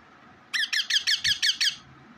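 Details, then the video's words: Pet parrot indoors giving seven harsh, squeaky screeches in a fast even series, about seven per second, then falling quiet in a small room. "natural voice parrot 🦜 parrot ka voice"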